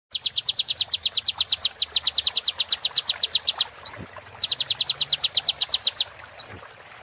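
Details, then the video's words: Sunbird song used as training material for caged songbirds: rapid series of high, thin, evenly spaced chip notes, twice broken by a loud upslurred whistle, then resuming the fast chipping. "MASTER BURUNG KECIL KOLIBRI"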